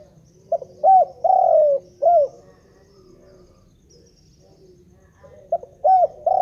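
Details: Spotted dove calling without pause. A full cooing phrase of four mellow notes, the third long and falling, is followed by a quiet gap, then the next phrase begins.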